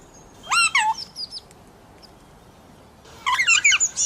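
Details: Talking pet parrot calling mummy and asking for roti: a quick run of rasping, speech-like syllables, a pause, then another rapid cluster of squawky notes.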